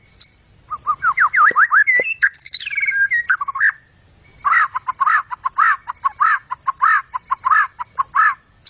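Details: White-rumped shama singing strongly, a quick string of swooping whistles and a descending slur, followed by repeated rhythmic chattering notes at a steady pace.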